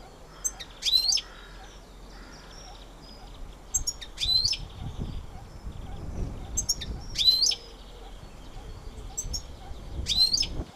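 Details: Singing goldfinch giving short bursts of high, tinkling, sharply rising and falling notes about every three seconds, with a low rumbling background.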